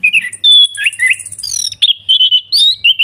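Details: Orange-headed thrush, ngeplong song used as therapy for a bird gone quiet: loud clear whistles, buzzy warbled phrases and a high thin trill, phrases flowing almost without pause.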